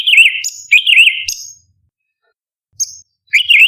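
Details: 'Tembakan' song of the orange-bellied leafbird (cucak cungkok), a master recording for competition birds: two fast warbling phrases each capped by a piercing high note, a silence, one brief high note, then another rolling trill.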